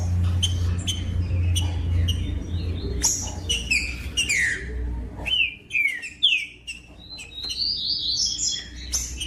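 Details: Green-winged saltator song played to warm up captive birds: scattered chips, then bold downslurred whistled phrases and a rising, warbling high sequence, over a steady low hum that fades midway.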